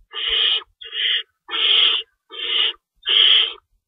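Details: At a nest in the early hours of March 25, 2012, owls at feeding time, an adult shredding rabbit for the young; five rasping, hiss-like screeches in quick succession, each lasting about half a second, with near silence between.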